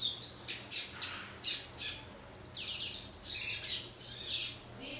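A female Yellow-bellied Seedeater sings high, thin chirps in separate bursts, then breaks into a fast, tumbling twitter in the final half.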